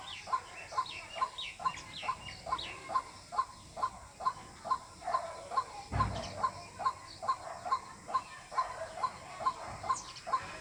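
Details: Long series of White-breasted waterhen calls used as a hunting lure: rhythmic, clipped notes repeating evenly around twice a second, with a brief low thump near the middle.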